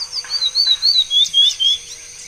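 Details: Morelet's seedeater singing: a loud run of clear, high whistled notes, each slurred and wavering, delivered in quick succession with short gaps, over a faint steady high hiss.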